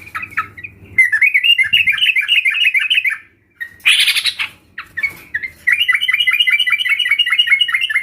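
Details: Sooty-headed bulbul singing to prompt other bulbuls to sing: quick repeated chirpy notes in a bright rolling series, interrupted midway by a loud harsh hissing burst, then the rapid repeated phrase returns.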